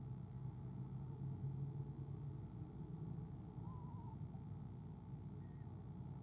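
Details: Eastern screech owl at a camera-watched nest, 17 February 2015, trilling softly at its mate's arrival; one faint, brief wavering trill midway through, under steady low rumbling noise.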